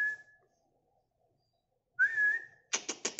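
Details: Male White-rumped Shama (Medan murai batu), moulted twice, singing loudly: two clear, steady whistles, the second rising then held, followed by four quick harsh, rattling notes.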